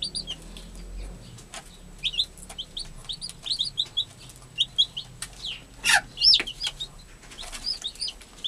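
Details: Recently hatched chicks tended by their mother hen, an American hen; a steady scatter of shrill, short peeps, some rising, some falling, repeated several times a second, with occasional sharp clicks and rustles.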